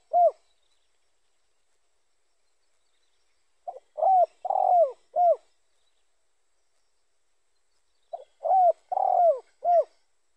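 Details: Spotted dove cooing, a sound used to lure other doves of its kind. Repeated phrases of four or five low, hollow coos, with a long, drawn middle note, separated by quiet pauses of several seconds.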